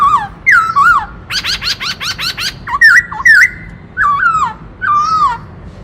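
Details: Black-throated laughingthrush switching among many voices in dancing song: fluty down-slurred whistles, then a rapid run of about seven harsh high chatter notes, followed by looping whistled phrases repeated several times.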